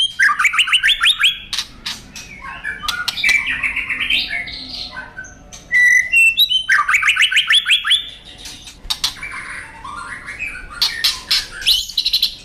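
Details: White-rumped shama singing vigorously as a masteran tutor song: loud, varied bursts of rapid rising whistled notes, sharp chips and buzzy trills, phrases restarting every few seconds with brief pauses between.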